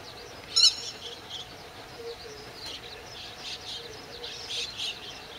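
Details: Grey-headed lapwing making low attacks on a grey heron and ducks in its territory, 31 May 2011, 08:20; a single loud, sharp, harsh call early on, then faint scattered calls amid constant background hiss.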